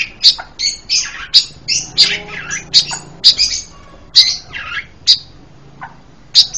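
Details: Panca Warna bird, a varied singer used as a master and trapping lure: rapid sequence of sharp high clicks and buzzy scratchy notes, roughly two per second, over about seven seconds.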